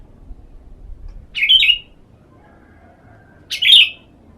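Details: Sooty-headed bulbul being sunned as therapy and used as a lure for other birds: two short, bright, bubbly phrases about two seconds apart over a quiet background.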